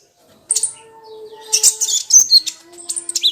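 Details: Crimson sunbird song, locally kolibri ninja, played to stir a silent sunbird: after a moment of quiet, a sharp high note opens a run of squeaky, jumbled twitters and thin whistled slurs, over a low steady hum.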